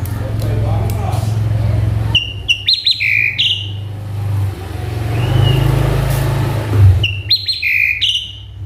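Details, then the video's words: Male Asian pied starling, described as agitated and singing a full mimicry repertoire, gives short bursts of clipped whistles and chirps between pauses, over steady low droning hum. "Si Jalu Emosi | Suren Ngamuk | Full Isian"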